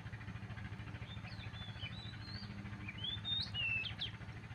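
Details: A magpie robin sings in the morning with soft sliding whistles that build to louder swooping notes near the end. A heavy, steady low rumble runs underneath throughout.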